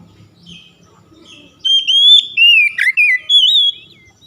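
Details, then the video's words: Singing Oriental magpie-robin, meant to provoke silent, untrained birds to sing: soft warbles give way to a two-second run of loud, clear whistles that climb, drop in a sharp swoop, then rise again. "KICAUN PERANGSANG BUNYI | KACER BAHAN SUSAH MALAS BUNYI LANGSUNG GACOR"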